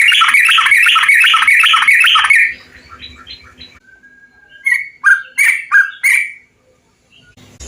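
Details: Bulbul song from a compilation meant to stimulate kept bulbuls to sing: a fast run of rich, bubbling chirps repeated rapidly, then a quieter stretch with a thin held whistle and several loud gurgling notes.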